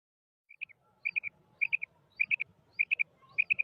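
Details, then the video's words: Female quail giving a steady run of three-note calls, each burst a quick, bright, clipped triplet, repeated roughly every 0.6 seconds, six groups in all, with faint low rumble underneath. "Female quail sound / فیمیل بٹیر کی آواز"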